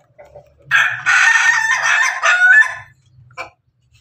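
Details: Crowing Pelung chicken rooster, called a Pelung Bangkok, eating alongside hens; one long, loud, rasping crow of about two seconds with wavering breaks, then a short final note, over faint low clucks.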